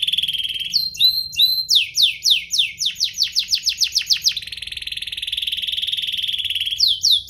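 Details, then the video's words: Domestic canary song meant to draw other canaries into singing: buzzy opening, short chip groups, a run of rapid descending sweeps, then a long even rolling trill and final sweeps. "Pancingan kenari biar gacor"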